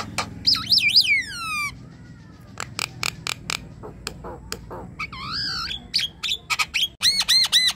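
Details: Javan myna song used as a trigger for a quiet myna: a warbling, descending whistle, a pause, scattered sharp clicks and harsh notes, a dipping double whistle, then rapid arched whistles at the end.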